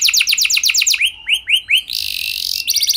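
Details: Canary singing as a lure: quick descending whistled notes, a few slower rising sweeps, a short harsh buzzy burst, then rapid notes again.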